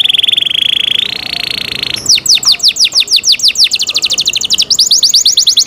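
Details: Canary singing a cenkok-style song: a steady high buzzy trill that steps up in pitch after about a second, then a fast series of sharp descending whistled sweeps, ending in rapid rattling trills.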